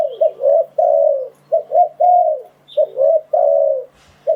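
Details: Spotted dove used as a decoy to lure wild doves for trapping, giving low cooing phrases: a short stuttered note followed by longer, slightly falling coos, repeated in quick groups with brief pauses.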